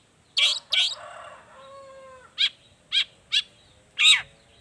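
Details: Long-tailed shrike song used to prompt reluctant shrikes to sing: two grating harsh bursts, a faint level whistled tone, then four short sharp down-slurred notes and a final rasp.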